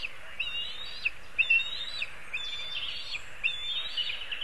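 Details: Black kite pair at their nest in a linden tree in Kurzeme, Latvia, livestream on 29 May 2023 at 16:02; thin, wavering, whistled calls in short bursts roughly every one and a half seconds over steady outdoor background hiss.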